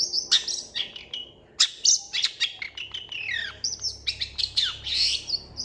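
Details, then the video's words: Long-tailed shrike in full song, said to include imitations of cats and chickens; a dense, rapid medley of high chirps, sharp downslurred notes and scratchy trills with barely a pause, faint low hum beneath. "MASTERAN CENDET GACOR PALING DICARI UNTUK MASTERING CENDET JUARA"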